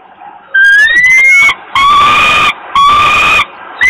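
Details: Hungry falcon chick begging in Włocławek, Poland, on 27 May 2022 as its father brings food. A thin, rising whistled whine swells into long, raw, screeching wails with brief pauses, and another cry begins at the end.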